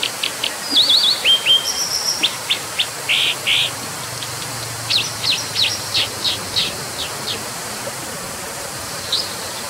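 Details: Brown dipper (Cinclus pallasii), 22 cm, dark brown with short upturned tail, giving sharp, high, buzzy zit notes in quick, irregular bursts over the steady rush of a stream.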